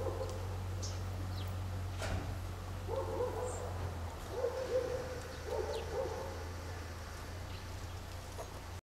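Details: An Inca dove in a garden gives low, hollow two-note coos, repeated every second or so, over a steady low rumble of background noise.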